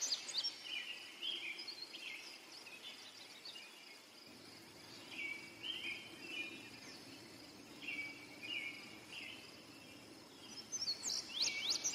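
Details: Indigo bunting song: short slurred phrases repeated every few seconds, ending in a run of bright, sharp high notes, set against a constant droning insect background.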